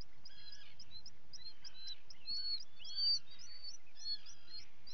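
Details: Common guillemot chicks at feeding time, recorded by a live webcam on 28 June 2020; shrill arched whistles repeat over a low rumbling background, with some louder, longer notes standing out.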